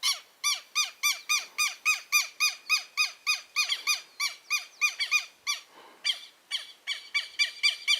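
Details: Freshly hatched southern lapwing chicks peeping continuously: bright, evenly spaced peeps at three to four per second for eight seconds, with a brief scratchy break near the sixth second.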